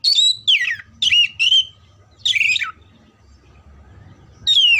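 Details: Oriental magpie-robin, or kacer, singing as mental training for contest birds: a rapid run of descending whistles and harsh chattering notes, a pause, then another loud falling whistle, with faint low background hum.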